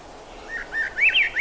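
A thrush sings a quick run of clear, arched whistled notes, about five short phrases climbing higher and louder toward the end, with nothing else heard.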